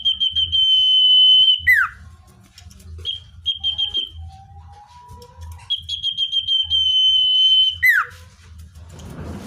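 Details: Common iora song for luring wild birds: a held high whistle snaps downward, short chirps and a soft lower note follow, then another pulsed run rises into a long whistle and falls away. A rhythmic low thumping plays beneath.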